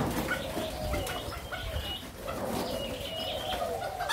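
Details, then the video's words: Spotted dove, Malaysia-Thailand line, recorded 27 September 2022, cooing steadily in low, hollow notes that run together in a wavering phrase, with faint chirps and background noise around it. "cu gáy avi dòng malaysia -thailan"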